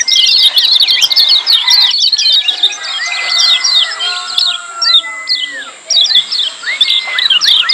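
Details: Lemon-bellied white-eyes in noisy 'ciak' chatter as training audio for silent birds: clusters of sharp high chirps alternating with arched whistled notes every second or two.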